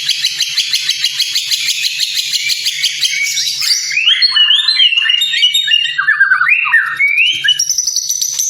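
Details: Training song of a white-rumped shama for tutoring other birds: a fast high chattering trill for several seconds, then varied loud whistled phrases sliding up and down, each different from the last.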